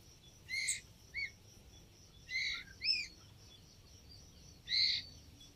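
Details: Young white-rumped shama making brief rasping squawks and little upslurred chirps with gaps of a second or more, over a constant high background whine.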